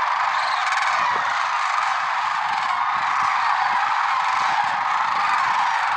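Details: Lesser sandhill cranes at dawn, Merced National Wildlife Refuge, February 6, 2023, a flock producing a thick, even blanket of overlapping rolling calls, with faint low thumps scattered underneath.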